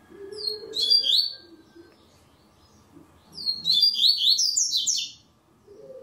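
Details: Double-collared seedeater in a web singing tournament, two phrases of rapid high warbled whistles, the first short, the second longer and more elaborate after a pause of about two seconds; faint low murmuring background.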